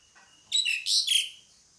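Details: Pied myna giving a brief harsh phrase of three or four rasping, buzzy notes, some dropping in pitch, with a faint chirp just before it.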